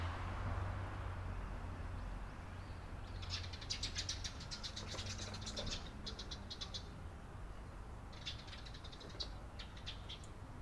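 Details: Eurasian tree sparrow recorded on 28 April 2022, giving rapid bursts of dry, high chirps packed closely together, one chattering run of about four seconds and a shorter broken run later, over a steady low background rumble.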